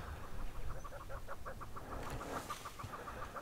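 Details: A Tibetan snowcock in a covey on an icy snow slope in rocky, craggy terrain in winter Ladakh gives a rapid run of clucking notes, about five a second, over a steady low wind rumble.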